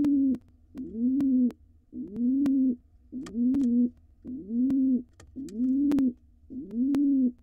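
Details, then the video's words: Courtship cooing from a wild male pigeon beside his mate in a monitored nest box, nestlings nearly fledging; deep, even coos that swell upward then hold, six in a row at a regular pace, with scattered knocks and scratches. "Dad is courting Mom"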